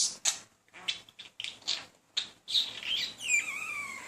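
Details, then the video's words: Talking pet male budgerigar persistently chatting to a female while courting her, with little success; rapid scratchy chirps and clicks in short bursts, then a few clear whistled notes that slide and waver near the end. "Talking Budgie"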